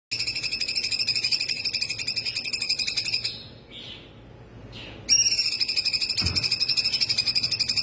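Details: Laughingthrush (cungkok) full song, used as a master recording for training other songbirds: a high, steady, rapidly pulsed trill, about four pulses per second, breaking off for a short quiet gap before resuming.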